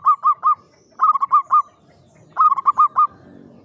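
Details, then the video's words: Klowongan song from a caged local Javanese zebra dove in a classic Mataraman cage: three tight groups of three to five quick, mellow, hooked coos about a second apart. "SUARA PERKUTUT JAWA KLOWONGAN"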